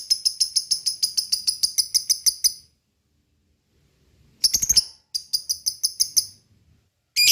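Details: Lovebird lure call to make lovebirds sing: a fast run of about fifteen shrill, high chirps, silence, a harsh burst, then another quick chirping run and a final harsh note.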